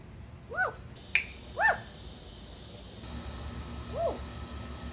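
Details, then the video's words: A female pet African grey parrot, 16 years old, of the Congo type, living in Florida, makes three quick rising whistled notes close together indoors. After a pause a single softer upswept note follows over steady background hiss. "whoo talking parrot African grey likes to say whoo"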